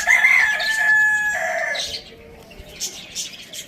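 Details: Farm village rooster crowing loudly: a long, strong, even crow lasting about two seconds, then a quieter pause with faint chirping from small birds.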